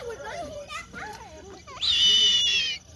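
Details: Captive snowy owl at a zoo in New York, 13 September 2025, at a fundraiser event; after people's chatter comes one sustained, high, slightly wavering whistled note lasting about a second.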